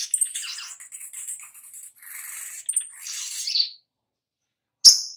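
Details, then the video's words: Oriental magpie-robin song played as a lure to prompt other birds to sing: a run of varied high, scratchy twittering and chattering notes, then a pause and one sharp chirp. "Pancingan SOGOK ONTONG Biar NYAUT GACOR"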